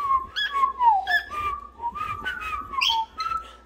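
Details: Cockatiel (Nymphicus hollandicus), whistled song.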